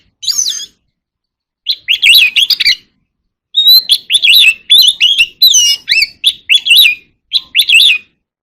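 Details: Oriental magpie-robin (Copsychus saularis) in a singing contest, giving bursts of rich, varied whistles and quick chattering notes in short phrases separated by brief pauses.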